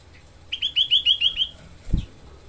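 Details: Short rough 'tembakan' phrase from a small Grey-cheeked bulbul: seven quick, harsh, slurred buzzy notes in under a second, followed by a dull thump.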